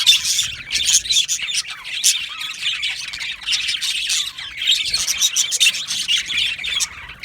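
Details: Yellow male budgerigars chattering in an aviary colony, bursts of rapid high chirps and harsh squawks in clustered waves with short quieter gaps.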